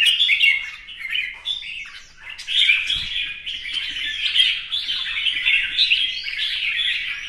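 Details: Red-whiskered bulbul singing competitively during a tail-fanning dance: opening with separate whistled phrases, then building into unbroken rapid, rich warbling at steady loudness.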